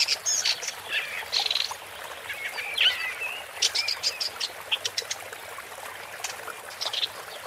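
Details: ['Song of a woodchat shrike, mixing scratchy warbled phrases and a clear whistled slur with scattered sharp clicking notes.']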